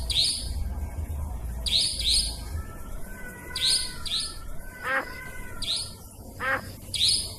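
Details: Nightjar trapping lure: repeated pairs of bright rising chirps, faint level whistles, and two separate falling, wavering whistles, over low rumbling noise.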